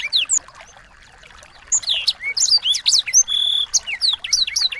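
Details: Training song of small birds for a white-rumped shama: a few sharp chirps, a quiet pause, then a busy run of bright whistled sweeps and a steady high buzzy note.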